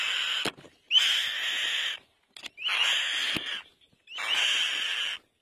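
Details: Black-winged kite repeating rasping, drawn-out screeches, three of them, each about a second long with a brief rising start, spaced roughly every one and a half seconds, with faint clicks between.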